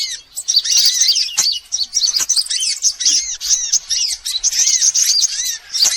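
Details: Lure sound for drawing in sunbirds of all kinds: many high, shrill chirps overlap in a busy twitter, with short down-curving slurs recurring below and a few sharp clicks.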